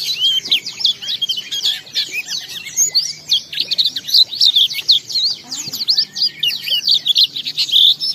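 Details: Energetic ngalas song of an Oriental white-eye, a lure to make other white-eyes sing back: a near-continuous flood of high, fast twittering and chirps, pulsing in short loud bursts for eight seconds.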